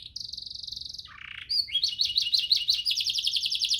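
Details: Canary master song: a sustained high buzzy trill, a lower rattling roll, then rapid rising chirps repeated about three times per second.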